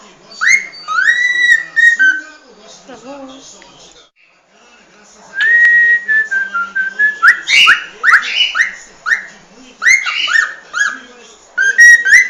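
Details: Cockatiel whistling: a few rising notes, a quiet gap, then a long steady whistle and a fast series of upward-swooping notes, about four per second.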